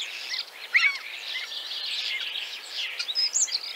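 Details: Common starling from Central Russia sings a busy, high medley of crackling chatter, clicks and short whistles, with a sharp whistled note near the start and another near the end.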